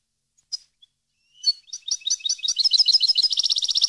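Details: Goldfinch training song for captive birds: scattered thin chips, then quick liquid twitters gathering speed into a dense, rapid high trill.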